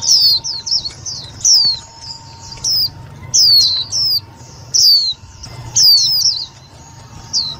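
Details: Indian white-eye calls used as a lure for trapping and for stimulating other white-eyes: loud, clear high thin descending chirps, in short bursts of two to four notes separated by brief pauses, with a faint steady hum underneath.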